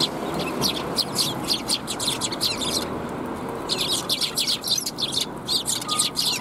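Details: Lively sparrow chirping at a Tenmangu shrine on 9 December 2021: dense rapid series of high chirps, a short pause near the middle, then more chattering, over low background rumble.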